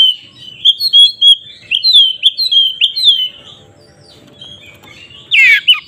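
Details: White-rumped shama song used to provoke rival shamas: clear whistled phrases sliding up and down in the first half, a quiet gap, then a harsh burst near the end.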